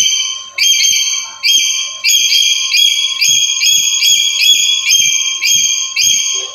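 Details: Black-capped lory, used daily as a master song for luring other lories: repeated piercing whistled phrases with bright overtones, each starting sharply, coming roughly every half second to second, over soft knocking and a faint hum.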